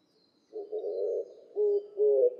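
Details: Oriental turtle dove recorded 12 August 2016 in Nikko, Tochigi, Japan, giving low, hoarse cooing: one long, husky coo followed by two shorter, fuller coos in a slow rhythm.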